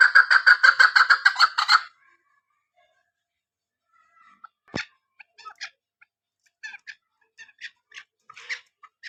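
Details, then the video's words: Female chukar partridge calling, a sound used for hunting: a fast burst of harsh, evenly repeated chuck notes for two seconds, then silence and scattered clicks and short knocks. "Female Hunting Sound Madi Chakor Awazصدای مادی کبک شکاری آواز"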